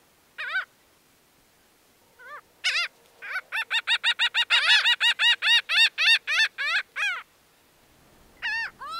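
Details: Laughing gull's full laughing series: a few scattered nasal notes build into a rapid run of about twenty harsh, evenly spaced 'ha' notes, roughly three per second, then trail off with a couple of final notes.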